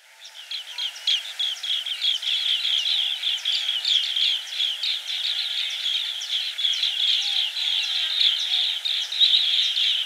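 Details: Green bee-eater (banspati): dense, overlapping high chirping trills repeated rapidly, about three per second, building from soft to steady chatter through the whole recording.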